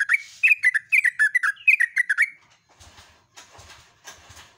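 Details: Yellow-vented bulbul singing at dawn in the lively, rapid 'gacor ropel' style: about two seconds of quick, bubbly, liquid chirped notes tumbling in a busy stream, then fading to faint scratchy sounds with soft low knocks.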